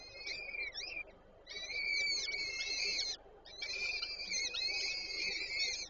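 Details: Peregrine falcons, Warszawa Żerań, Poland, 8 May 2023, as the female feeds the chicks at the nest: long, drawn-out, high, wheezy screeches, two sustained bursts separated by brief pauses.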